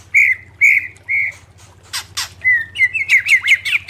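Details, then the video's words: Greater green leafbird song meant for tutoring caged birds: three clear whistled notes, two sharp downward sweeps, then a quick chattering series of whistles, over a constant low hum. "MASTERAN CUCAK IJO SUARA JERNIH!!!"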